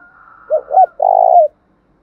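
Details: Spotted dove calling vigorously, used as a decoy to lure other birds: two short rounded coos followed by a longer, steady, vibrating coo about half a second long, mid-pitched, with a faint higher tone beforehand and no other sounds.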